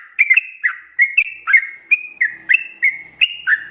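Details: Sooty-headed bulbul in full rapid 'ropelan' song, used as a training recording for cage birds: about nine short bubbly two-note phrases in under four seconds, each a quick downward-then-upward slurred whistle, clean background.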